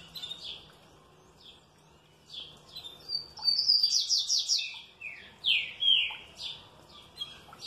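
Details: Green-winged saltator, well cared for, responding happily with scattered high chirps that build into a fast burst of rapid repeated notes, then loud down-slurred whistles and a few softer chirps.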